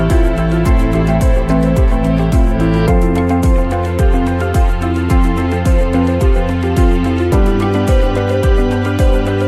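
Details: Instrumental music with a steady, even beat and layered sustained tones; no animal voices are heard.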